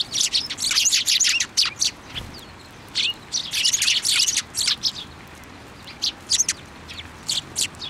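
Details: Eurasian tree sparrows collecting on a plum tree at a Tenmangu shrine, Japan, 10 February 2024; dense, fast chattering chirps in two loud bursts, then sparser single tweets.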